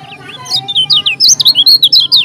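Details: Lombok yellow-crowned bulbul in full song, a fast burst of bright, loud whistled notes swooping up and down, about a dozen phrases packed into two seconds with a faint low hum behind.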